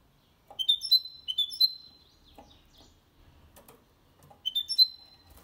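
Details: Goldfinch × canary hybrid singing clean song for stimulating males and teaching young birds. A phrase of three high whistled slides, a gap with faint clicks and taps, then another whistled phrase.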